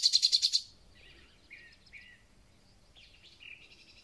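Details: Thrush nightingale singing at the start of spring: a rapid series of six loud clicking notes, then softer short whistled phrases at spaced intervals.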